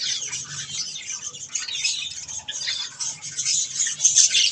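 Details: Several pet budgerigars eating softfood keep up a high, hissy chatter of overlapping squeaks and rasping twitters, growing a little louder toward the end.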